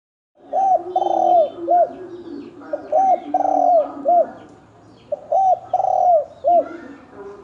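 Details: Spotted dove of the 'thổ đồng' type, in a 'kích trống, kích bổi' fighting bout. Three cooing phrases, each a short arched note, then a long rough descending coo, then another short arched note. The phrases are a few seconds apart, with a soft background hum.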